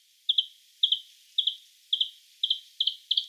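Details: Bluethroat, Luscinia svecica, repeating a high clipped double note about twice a second, each pair sharp and ringing, evenly spaced against a quiet background.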